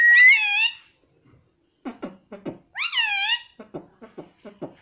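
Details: Pet parrot described as talking and saying "Mummy": a loud rising nasal call with rich harmonics, a run of quick low clicking syllables, then the nasal call again and more rapid clicks.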